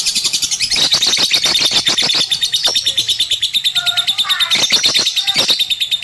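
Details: Lovebird kept as a pet, chattering continuously: a dense, rapid buzzy trill of high notes with sharp clicking chirps laid over it and a few short squeaky notes.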